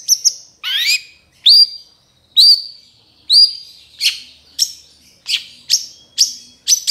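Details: Long-tailed Shrike trotol tutor recording: loud, separated upslurred whistles and sharp downward notes repeated about once a second, becoming quicker and more clipped toward the end. Quiet background.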